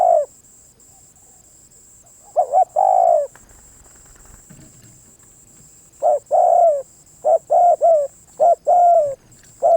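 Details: Spotted dove song: low, mellow coos in bursts, a short pair of notes leading into a longer drawn-out coo, repeated several times after a quiet gap, with a constant thin high whine behind.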